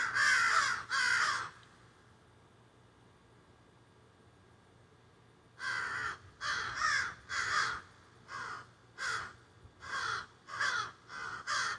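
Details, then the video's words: Crows squawking and carrying on in trees behind a garden, cell phone recording: two loud harsh caws, a long quiet stretch, then a steady run of about ten raspy caws roughly half a second apart. "A Jungle Or Crows"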